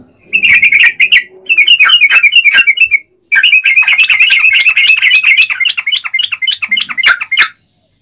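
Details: Yellow-vented bulbul pouring out fast, chattering song in bursts separated by short silences, each burst a tight run of bright, bubbly notes with sharp clicks, ending abruptly after about seven seconds.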